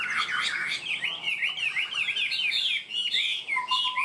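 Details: Caged Chinese hwamei in 'cao cầu' song, quick and steady to begin: loud, rich, continuous high warbling with fast twisting whistles, ending with a lower steady note.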